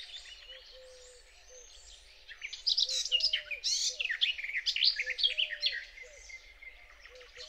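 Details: Garden warbler singing close by at dawn on 8 May on a frosty, misty meadow near Biebrza, Poland, a fast, rich, continuous high warble for about four seconds over a low, squeaky electro-mechanical whine of human origin.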